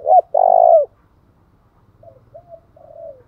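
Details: Spotted dove call played to trigger singing. It opens with a loud phrase, one short note and a long rolling coo. Three soft, drawn-out, slightly falling coos follow over a faint low rumble.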